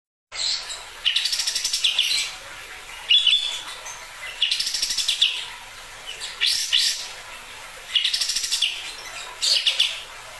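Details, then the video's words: Sooty-headed bulbul giving a croaking call: loud, harsh bursts of rapid, rattling pulses, each lasting about a second and repeated every one to two seconds, with brief quiet gaps between them. "special cotton-shooting bird makes a croaking sound"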